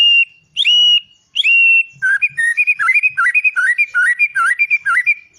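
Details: White-rumped shama song: two or three clear, ringing whistles, each with a sharp upward flick, then a lively run of varied rising and falling notes repeated quickly.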